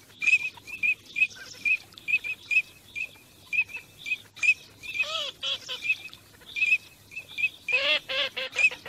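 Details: Teal on migration: rapid repeated short whistles from several birds, interrupted twice by harsher nasal calls with curving, descending tones.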